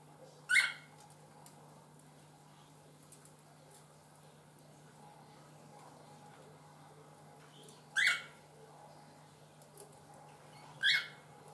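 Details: Three brief, harsh cockatiel calls, spaced several seconds apart, over a steady low electrical hum, while a cockatiel feeds a one-month-old chick.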